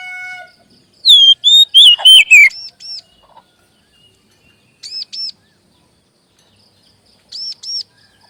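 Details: Kacer magpie robin pancingan song to make birds sing sooner: a quick sequence of bright descending whistles opens, followed by paired high arched notes repeated about every two and a half seconds over silence.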